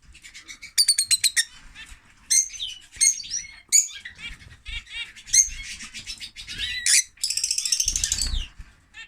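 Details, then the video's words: A male lovebird, its female having died after laying eggs in winter, delivers rapid repeated high chirps, strident squeaks and a long fast stuttering trill near the end. "Love Bird singing (Lovebird)"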